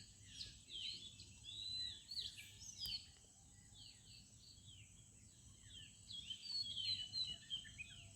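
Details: Many birds sing in a village in the morning, a busy mix of short high chirps and whistled notes overlapping through the clip above a faint low rural hum.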